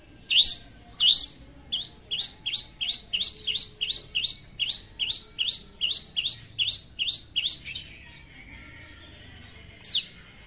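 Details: Long-tailed shrike lure song aimed at a rival: two strong sweeping notes, then a rapid chatter of fifteen short hooked notes at about three per second, a pause, and one final high sweep.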